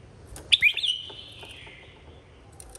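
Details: Red-whiskered bulbul in a singing contest: a loud warbled phrase jumps up, then trails off in a long thin descending whistle, with faint other birds calling in the background.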